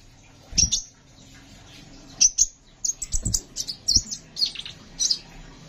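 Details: Sunbird (kolibri ninja) singing in a lively, long-rolling style, kept as a master recording for training songbirds: sharp high chirps in short bursts, a pause, then a quick run of varied notes toward the end.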